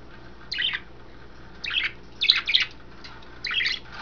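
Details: Pet budgerigar at bath time indoors, giving sparse, separate harsh chirps, five short bursts spaced unevenly across a few seconds against a quiet room.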